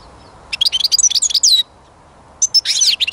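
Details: Goldfinch singing two lively phrases of quick, high, liquid twittering, separated by a brief pause, with faint low hum beneath.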